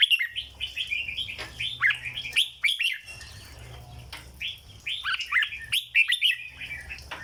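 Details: Red-whiskered bulbul in a cage, singing the legendary 'rong dok' flower style: lively, jumbled whistled warbling in two loud bursts, with a calmer pause between them.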